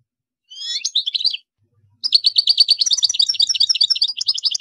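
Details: European goldfinch giving a brief twittering phrase, a pause, then a fast sustained run of rapid repeated tinkling notes, about three per second, continuing to the end.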